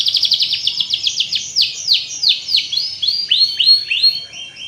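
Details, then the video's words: Canary singing a lure song meant to spur other canaries into full song: a fast high trill slowing into separate sweeping chirps, each dropping then rising, about four per second. "CUIT CUIT PANCINGAN BURUNG KENARI AGAR CEPAT GACOR DAN NGEROL"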